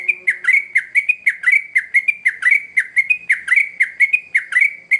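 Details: Young-bird lure of a sooty-headed bulbul in vigorous song: clean, fast sequence of liquid whistled notes, each curving down and up, closely spaced over a quiet background.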